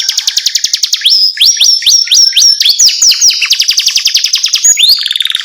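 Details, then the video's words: Canary singing in the jerit-jerit, or screaming, style: loud, piercing high trills and rapid series of upward-sweeping whistled notes, changing phrase every second or so, with no other sounds. "BIKIN KENARI PAUD JERIT JERIT | CANARY SINGING"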